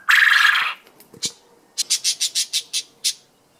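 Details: Captive male Japanese quail calling for a mate: one loud, harsh burst lasting about half a second, then after a short pause a quick run of about eight short, raspy notes.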